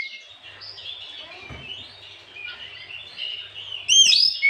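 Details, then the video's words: Oriental magpie-robin singing in the afternoon to provoke other magpie-robins. Quiet, steady high warbling runs for several seconds, then ends in a sudden loud burst of sharp whistles. "Pancingan Terjitu burung kacer di sore hari"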